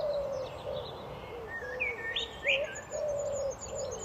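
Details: Common blackbird delivering a mellow fluted phrase that rises sharply, then a few short warbled notes, against a background of continuous low, even cooing hoots.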